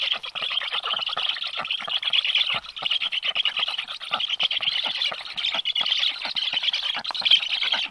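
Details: Black stork chicks at a nest in Karula National Park, southern Estonia, on a July morning, while a strange stork is nearby; dense continuous high twittering and squeaking from the nestlings with ticking and rustling.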